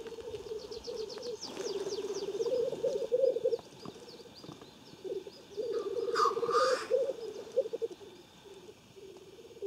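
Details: Lekking black grouse in Omsk region, Siberia, near Klassino, 2018, produce dense low bubbling rookooing in long bursts, with a sharp hissed whoosh around six seconds. Distant high chirps of other birds are heard between the phrases.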